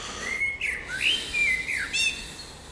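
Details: Spring birdsong: a sweet whistled phrase of long sliding notes, rising then falling, with a brief high chirp near the end.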